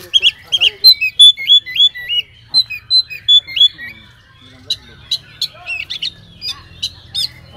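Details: Oriental magpie-robin delivering a lure song loaded with imitations to provoke other magpie-robins: rapid repeated hooked whistles in a steady run for four seconds, followed by sharp clicks, chips and twittering notes.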